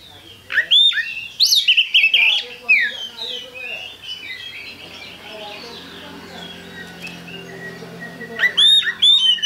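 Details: Lively kacer song meant to stir other birds to sing: bright whistles and fast upslurred notes at the start, a long stretch of soft rambling warble, then sharp loud notes returning at the close.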